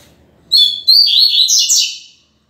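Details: A captive Double-collared Seedeater (coleiro), still in strong song while its cage-mate winds down toward moult, sings a quick, high series of bright whistled and slurred notes lasting under two seconds, with faint room noise before it.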